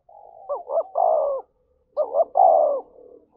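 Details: Spotted dove cooing to incite a fight: a soft level lead-in, then two phrases of short hooked notes and a long mellow falling coo, with a faint low hum underneath.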